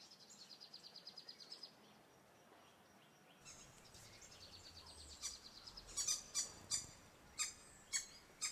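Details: A small group of Green wood hoopoes visiting residential gardens in Lilongwe, Malawi, moving from tree to tree, gives high, rapid runs of chattering notes in quick bursts, then sharper cackling notes, over faint background noise.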